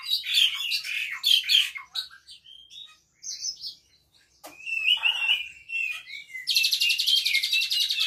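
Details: A caged Asian pied starling sings by itself, its song packed with Cililin-style mimicry including canary: loud chattering bursts, scattered clicks and whistles, then a long, rapid buzzy canary-like trill.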